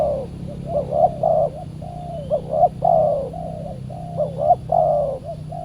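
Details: Wild spotted dove calling in response to a decoy at a trapping session, described as fierce and aggressive; repeated phrases of short upward notes and long falling coos, with low steady hum behind.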